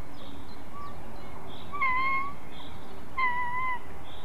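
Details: White-tailed eagles at a nest in Ķemeru National Park, Latvia, during a family dispute over prey: two thin, slightly wavering drawn-out yelping calls about a second apart, over steady wind-like background hiss.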